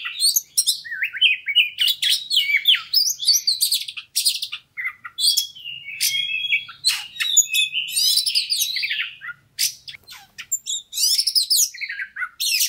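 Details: Oriental magpie-robin of fighter type, song used to provoke others into fast singing with full mimicry: a long, busy stream of varied warbles, buzzy rattles and upslurred whistles, barely pausing, delivered loudly at close range.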